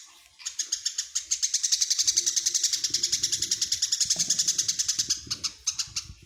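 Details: Tame Eurasian tree sparrow, kept as an eager day-and-night singer, pours out a long steady series of rapid, high metallic chirps, over three per second for about five seconds, with a faint low scrape and rustle midway.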